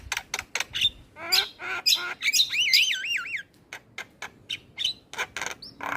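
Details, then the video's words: Super chatty Javan myna that keeps singing and is said to make other birds join in: rapid clicks and rasps, then a looping, wavy whistled phrase, followed by further sharp ticks and short calls. "Jalak kebo Super Cerewet Tak henti Bunyi Bikin Burung Lain Ikut Gacor"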